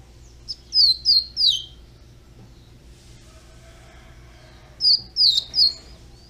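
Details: Young double-collared seedeater singing two short high phrases, each of three quick slurred whistles dropping slightly in pitch, separated by about three seconds of quiet.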